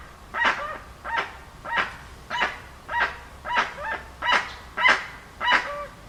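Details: Series of raucous honking yelps from a dusky-legged guan, about every two-thirds of a second, getting louder toward the end, the last notes trailing into a short lower whine.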